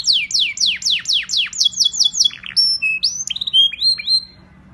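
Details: Canary singing loudly: a fast series of descending sweeping notes, then a rapid rattling trill and a run of clear, piercing whistles, with a faint low hum in the background.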